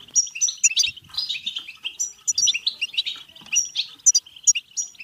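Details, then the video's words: Singing European goldfinch, played to encourage goldfinches to sing and mate. Quick jingling twitter with sharp, high whistled notes and a few louder rising chirps, flowing continuously. "بتبتة حسون فعالة و رهيبة لتحفيز الحسون على التغريد و التزاوج و الهيجان سيغرد دون توقف"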